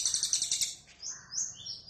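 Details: Crested jay (cililin), Indonesian songbird, gives a quick burst of about eight harsh, high chirps, then a few thinner rising whistles; Javan birds are said to have short, harsh calls.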